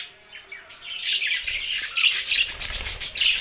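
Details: Budgies start quietly with a few thin chirps, then build into a loud stream of high, rasping, twittering notes that grows steadily busier.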